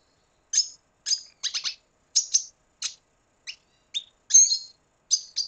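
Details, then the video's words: Venezuelan red siskin uttering spaced, high, buzzy chirps and short double notes, roughly two a second with silence between. "Canto Cardenalito Venezuela / Spinus cucullata / Carduelis cucullata"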